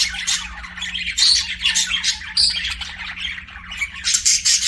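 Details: Chirping and singing budgies give a dense, harsh warbling chatter with squeaky whistled notes and clicks, fairly loud throughout, with a faint hum underneath.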